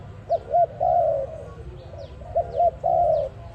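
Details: Dove call used as a lure for trapping: two short rising-falling coos followed by a longer wavering, slightly falling coo, the phrase given twice; faint higher chirps of other birds behind.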